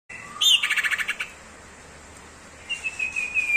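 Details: Common iora giving a 'tembakan sirtu ngebrem' song burst: a rapid rattling run of bright chirps lasting under a second, then a pause and a thin, high whistled trill at the end.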